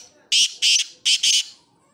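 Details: Black francolin calling: four harsh, grating high notes delivered in two quick pairs over about a second, over faint background hiss.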